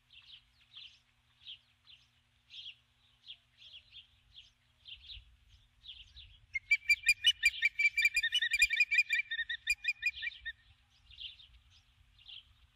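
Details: Female osprey at her nest at dusk, 21 July 2015, calling for her absent mate after landing with a stick; spaced high chirps swell into a loud, fast, ringing chatter of about twenty notes, then ease back into single chirps.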